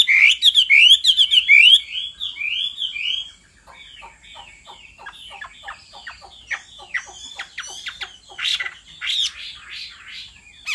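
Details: Hwamei, male roused to sing by a female's repeated calls: loud, rapid run of slurred whistled notes for about two seconds, then softer dry clicking and short chattering notes with scattered brighter phrases.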